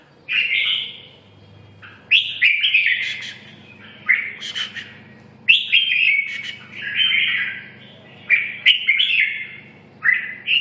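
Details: Red-whiskered bulbul singing short, lively whistled phrases roughly every two seconds, each a quick tumbling run of clear notes with a few sharp clicks, separated by brief pauses over a low background hum.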